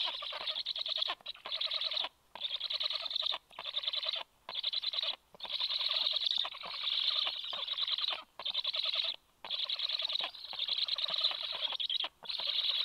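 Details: Black stork nest as the male arrives soon after the female and brings fish for the chicks: loud rasping chatter in bursts of one to two seconds, split by about ten brief silences.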